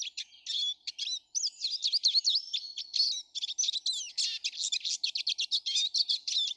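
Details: Eurasian siskins, many visiting a garden daily on 19 March: continuous high twittering song of rapid chirps, trills and short sliding whistles, with dense overlapping notes and brief pauses.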